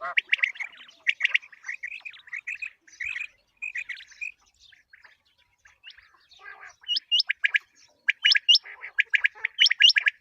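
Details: Common quail call used for quail hunting: groups of sharp pulsed notes, a quieter gap in the middle, then high hooked whistles mixed with rapid triplet bursts near the end.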